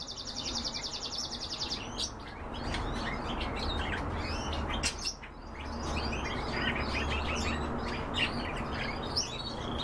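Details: A buzzy insect trill opens, then European bee-eaters break in with dense, overlapping, liquid rolling chirps repeated rapidly throughout.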